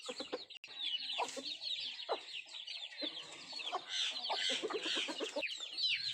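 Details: Country chickens busy feeding, giving scattered low clucks that grow denser toward the end, mixed with constant high chick cheeping.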